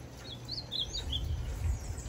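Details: A caged Ultramarine Grosbeak, the brown (pardo) form, recently moulted and already singing well, sings a short run of high, slurred whistled notes, each brief and rising then falling, over a steady low rumble of background noise.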